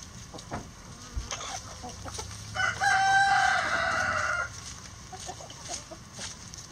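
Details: Crowing rooster in a chicken coop as hens feed on eggs, giving one long, steady, harmonic crow held for nearly two seconds, with soft clucks, pecking and rustling from the flock before and after.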